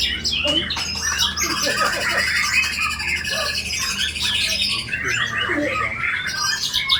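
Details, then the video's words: White-rumped shama, in a bowing stance, singing densely layered fill-in phrases: harsh chatter and squawky notes mixed with high whistles, continuous and loud for the whole stretch. "MURAI BATU SUJUtt.. ISIAN SUPER MEWAH.. PERIH BETUL SUARA NYA!!"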